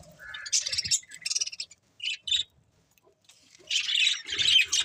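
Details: Budgerigar chirps come in scattered bursts separated by short silences, ending in a loud, dense chattering warble.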